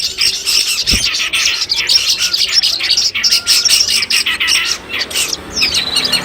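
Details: Competition training audio of the Long-tailed shrike (cendet): bursts of fast, scratchy chattering mixed with thin whistles, briefly easing near the end before a clear downward-slurred whistle.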